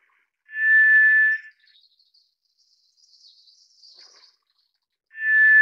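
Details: White's thrush repeating its drawn-out, flat whistle: one clean note near the start and another at the end, about four seconds apart, with faint high hissing in the pause.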